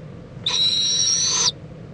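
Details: At an owl nest in Indiantown, Florida, late morning on February 26, 2014, mother and owlet preen each other; one level, breathy screech lasting about a second, with a whistle-like tone rising slightly just before it cuts off.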